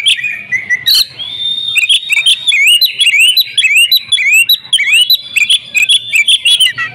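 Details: Oriental magpie-robin giving an agitated fighting song: a long held whistle, then a chain of rising whistled slurs and sharp high chirps, repeated rapidly and densely without pause.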